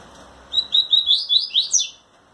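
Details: Captive male double-collared seedeater singing and shaking its wings to a female: a quick run of about seven bright, high chirped notes, rising toward a sharp finish, over a faint background hiss.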